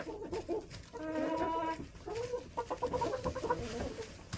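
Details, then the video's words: Backyard hens in a winter coop, 21 January 2024, with snow outside: a run of harmonic, nasal clucks, one long drawn note, then quick repeated clucking over constant coop rustle. "chicken noises, hens clucking"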